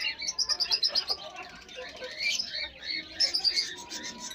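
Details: Pet chicks meeting pet hens: a quick series of high, thin descending peeps in two bursts, separated by a softer stretch of fainter chirping.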